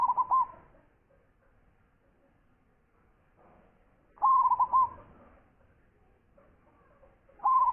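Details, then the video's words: Prize-winning local zebra dove with a big voice sings three rolling coo phrases roughly four seconds apart, each made of several rounded, bubbling notes at the same low pitch, with near silence between. "Perkutut Lokal Gacor Suara Besar"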